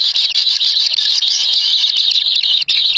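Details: Begging young kingfishers in a wild nest, fed a black lizard by the parent: an unbroken, intense high-pitched screeching wail with a small gap near the end.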